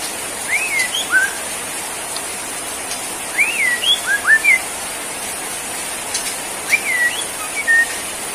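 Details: Borneo white-rumped shama, shown bowing in 'sujud' style, gives sparse clear whistled phrases: upslurred and hooked notes in small groups separated by pauses of about two seconds.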